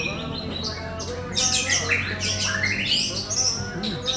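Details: White-rumped shama singing a rich, varied song of quick whistled and chattering phrases, mostly high-pitched, rising and falling sweeps with a steady low hum underneath.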